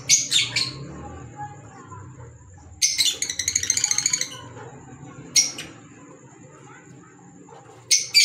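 Fischer's lovebird giving sharp, shrill high-pitched shrieks in bursts, one a rapid chattering series, separated by a few seconds; a faint steady high whine underneath.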